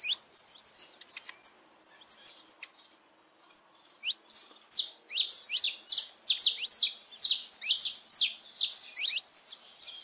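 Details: Song of a saffron finch for firing up pet birds: a few isolated high tweets, a short pause, then a steady stream of strong, rapid, sharp chirped notes.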